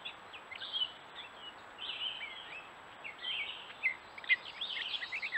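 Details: Gray catbird on a wooded stone wall in Strafford County, New Hampshire, courting: a steady stream of chattery, scratchy and whistled phrases, rising and falling, with no pauses.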